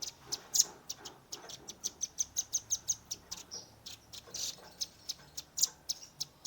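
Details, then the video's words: A Redmi 10 phone captures a young velvet-fronted nuthatch in tembakan, a shooting style: a steady series of high, sharp chips with a quicker run in the middle, then spaced notes. "RAMBATAN PARUH MERAH gacor nembak rapat"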